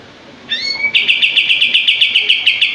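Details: Kapas tembak (common iora) singing: a rising whistled slur opens, then a rapid run of sharp, evenly spaced notes follows, about ten per second, in the fast shooting style of its masteran song.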